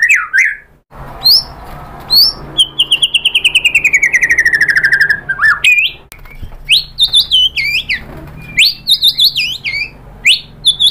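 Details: White-rumped shama (murai batu) song, used to provoke other birds to sing: varied loud whistles, a long rapid descending trill of repeated notes, then sharp upswept whistled phrases in quick succession.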